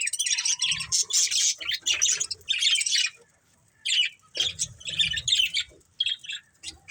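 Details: Breeding pair of budgerigars chattering in rapid, bright bursts of high warbled chirps and squeaky notes. The bursts come in clusters, with a short pause near the middle and low thumps underneath.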